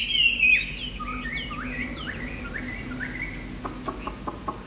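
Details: Tame, old wild-caught Chinese Hwamei in a cage. A loud opening whistle is followed by quieter upward-flicking notes and a few sharp clicks near the end.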